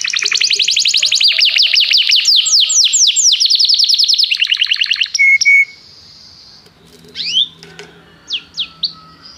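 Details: Canary calling another canary to sing during song training: long rapid trills varying in pitch, two steady whistled notes, then quieter scattered upslurred chirps.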